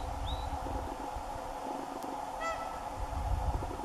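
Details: A single clear, brassy honk from a Whooper swan near the end, preceded by a thin upslurred whistle, with a steady background hum and low rumbling noise throughout.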